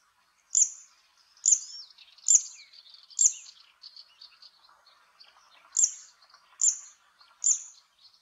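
A zitting cisticola repeats sharp, high, clicky 'zit' notes about once a second, four then a short pause and three more, with faint background chatter beneath.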